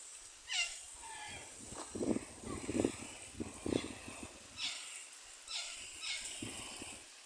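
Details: Charlie, a pet monk (quaker) parakeet on an outing in a forest, gives harsh, raspy squawks and short chattering notes against a steady high insect hum.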